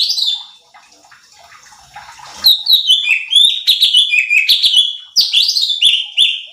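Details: Cucak cungkok bulbul, recorded as a provoking lure for other songbirds: after a short noisy gap, a lively, continuous run of bright, warbled and chattering whistled phrases, rising and falling rapidly with little pause.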